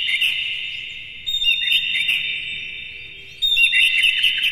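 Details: Oriental magpie-robin morning song, played to stimulate captive birds to sing and spread their tails; a steady high buzzy band runs throughout, broken by bursts of quick chirped notes near the middle and end.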